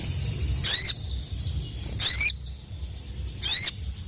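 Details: Three loud, clear calls from a sooty-headed bulbul summoning rival males, each a brief bright note bending down and up, evenly repeated about every one and a half seconds.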